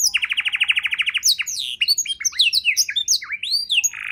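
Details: Domestic canary singing a training recording for other songbirds, opening with a rapid even trill of about fifteen notes, then a jumble of rising and falling whistles and slurred chirps.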